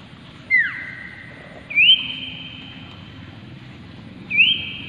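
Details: Common iora (Aegithina tiphia) song used to rouse other ioras into singing: a short falling slurred whistle, then two long, steady, drawn-out whistles, each opening with a sharp upward slur, separated by quiet pauses.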